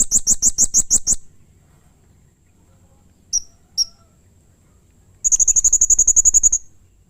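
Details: Agitated blue-crowned hanging parrot giving rough, excited calls to provoke other hanging parrots: seven shrill high notes in quick series, two isolated sharp notes, then a fast, buzzy trill of a dozen rapid notes.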